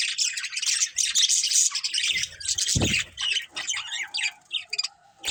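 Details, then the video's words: Pet budgerigars, several colourful birds of one family, keep up a dense, scratchy, high chattering warble with squawky notes and one brief low thud midway. "Cute Colourful Budgies Chirping Sounds"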